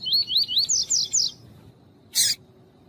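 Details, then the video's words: Double-collared seedeater in tui-tui song style, played with a calling female to warm up birds for breeders' song tournaments: five rapid whistled, rising slurred notes repeated in a quick series, then a single sharp, harsh noisy burst after a pause. "COLEIRO TUÍ-TUÍ E FÊMEA CHAMANDO ESQUENTAR"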